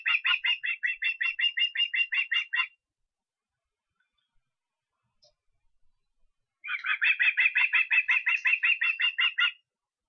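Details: Osprey recorded in Estonia on 23 August, giving two long bursts of rapid, piercing whistled notes, each about a dozen strong chirps, separated by several seconds of silence.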